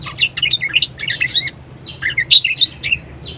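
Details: Busy twittering chatter from a budgerigar, fast squeaky notes in bursts with a short gap and a sharp click, from a bird used as a song tutor and lure for other birds.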